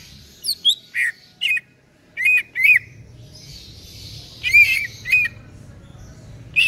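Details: Local East Java green leafbird, kept caged and singing day and night, gives scattered sharp chirps and short whistled notes between 2 and 8 thousand, with brief downslurs and pauses between bursts over a faint low hum.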